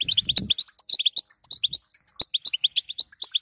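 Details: Female European goldfinch calling to stimulate a male to sing: rapid series of short, bright rising chirps around 3–5k, nearly continuous, with a brief low rustling noise near the start and a sharp click partway.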